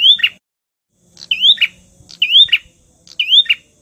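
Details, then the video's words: Bar-winged prinia (prenjak) in the 'prenjak tamu' style, used as a lure to provoke rivals: a quick rising whistled sweep ending in a short buzzy burst, repeated roughly once a second. Faint low hum underneath. "SUARA BURUNG PRENJAK TAMU UNTUK PIKAT GACOR PANCING MUSUH!!!"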